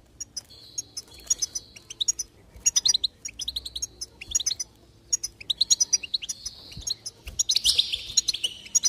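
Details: Goldfinch singing to motivate another bird: clustered quick twitters and tinkling chirps in irregular bursts, ending in a louder buzzy, jangling flourish.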